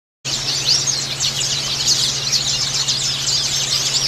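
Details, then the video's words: White-eyes in a dense, continuous chorus of high, thin twittering and rapid chirps, many overlapping phrases throughout, played as therapy so other white-eyes sing readily; a steady low electrical hum runs underneath. "terapi pleci agar cepat ngalas"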